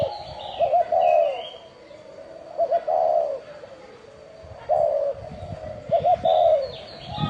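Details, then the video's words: Bronze-bell spotted dove cooing to attract wild birds and excite males and females. Repeated low phrases, a quick double note followed by a long resonant coo, with high twittering from other birds and some low knocking in the background. "Tiếng chim cu gáy chuông đồng gáy gù gọi bổi kích bổi kích trống mái lên nhanh"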